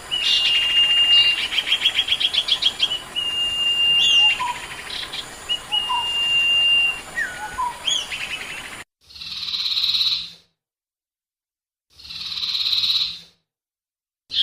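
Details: Sirpu (sirdung) singing, played as a lure: long steady whistles alternate with fast runs of sharp repeated notes and upward-swooping calls for about nine seconds, then two loud broad hissing bursts separated by silence.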